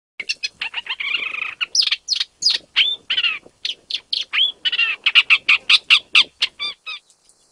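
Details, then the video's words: Isabelline shrike (Lanius isabellinus), a vagrant at Jiangjun District, Tainan, Taiwan, on 25 December 2023, the first Taiwan main-island record: a rapid jumble of harsh chattering notes and short scratchy whistles, about three per second, high-pitched and continuous. "荒漠伯勞/Isabelline Shrike"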